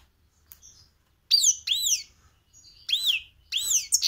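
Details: Caged goldfinch × canary hybrid (mixto), recorded close in cold weather, giving spaced arched whistled notes in short bursts, some paired, separated by brief silences, part of a song copied since young.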